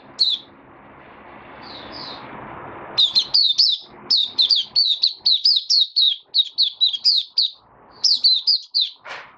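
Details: Kept white-eye singing on 23 March 2022, during warm humid weather: after a soft hiss and a few faint notes, a fast run of sharp, high, falling chirps arrives about four per second, with brief pauses between bursts.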